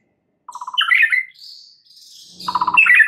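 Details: White-rumped shama lure song meant to trigger a full repertoire: quick stuttered trill, then a sharp rising whistled note, a soft high thin passage, and another fast rattling trill leading into bright upslurred whistles.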